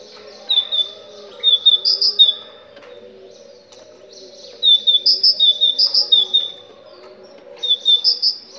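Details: Moroccan great tit song for coaxing other tits to sing: three bursts of rapid, high, bell-like note pairs, the middle run longest at around ten notes, separated by quiet gaps with a constant low hum.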